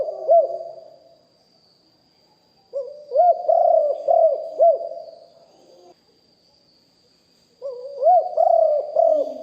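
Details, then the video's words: Live recording of a spotted dove decoy bird with a deep voice. It repeats cooing phrases roughly every five seconds, each a low rising note followed by several arched, hollow coos. A thin constant high tone sounds in the background. "นกเขาใหญ่คับ birds - Ep 1 เสียงต่อนกหลิ่วห้อย เสียงใหญ่#2 & 4กุกห้อยเสียงใหญ่ บันทึกเสียงสด"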